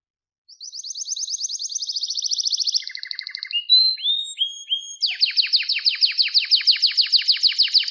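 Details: Canary in full song: a rising rapid trill, a low buzzy rattle, a few sliding whistles, then a fast sustained trill of repeated downward strokes.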